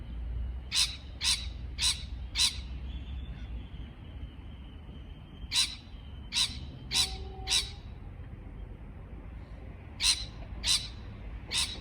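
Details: Harsh parrot chirps come in bursts of four or five rapid notes separated by silent gaps, one brief plain tone appearing midway, over faint background rumble.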